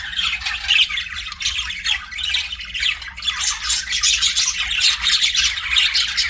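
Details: Budgies as pets chattering nonstop, with raspy squawks and fast warbling chirps overlapping in a dense, lively flock sound over a low steady hum.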